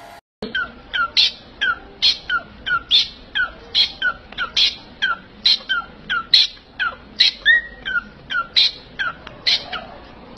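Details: Parrot giving a run of short, harsh squawking notes, each a sharp chirp that falls in pitch, repeated roughly every half second for ten seconds against faint room noise.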